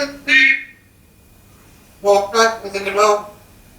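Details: An African grey parrot mimics human speech: one short voiced syllable, a pause of over a second, then a quick run of four or five speech-like syllables with rich harmonics.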